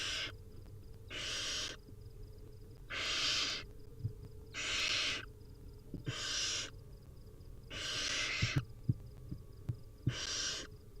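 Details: Wild barn owl nestlings begging at feeding time, a run of seven hoarse, hissing screeches spaced about one and a half seconds apart, followed by scattered clicks and taps.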